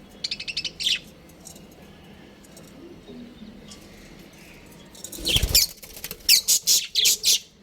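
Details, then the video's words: Pet budgerigars at home, playing and happy, give harsh, buzzy high chirps: a short burst at the start, a quiet gap, then a loud flutter or thump followed by a run of about five quick chirps in a row. "My Cute Budgies Chirping Sounds"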